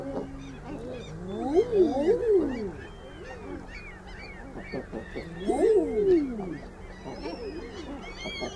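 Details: Common eider: two clusters of overlapping, moaning calls, each note curving up and down, spaced several seconds apart, with softer scattered calls between and higher cries of other birds in the background.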